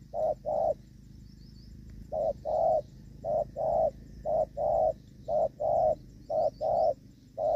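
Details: Spotted dove, a decoy bird used for trapping in the rainy season on 23 July 2024, giving the gù vấp coo: paired low notes, a short one then a longer one, repeated steadily about once a second, with faint high chirps in the background.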